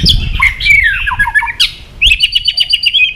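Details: {'caption': 'Kept white-rumped shama song meant to provoke aggression: harsh, scratchy descending notes in a rough phrase, then a quick series of clipped high notes, with a low thump in the background.'}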